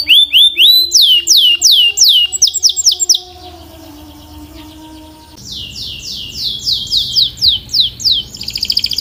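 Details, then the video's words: Canary singing rapid repeated downward-sweeping notes for about three seconds, a quiet pause with faint tones, then another fast series of swooping chirps ending in a buzzy trill. "Relax with the Most Popular Canary Singing - Beautiful Melody"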